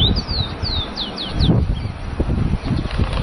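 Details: Masked yellowthroat at Laguna del Diario in Uruguay, 13 December 2016: six clear, high whistled notes sliding downward, repeated about every third of a second, then quieter, with low rumbling background noise.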